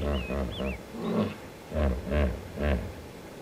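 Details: Goliath heron at Lake Panic near Skukuza, Kruger National Park, startled after losing its catch, gives deep, harsh croaking calls in two bursts of three, about half a second apart; faint high chirps from small birds open the sequence.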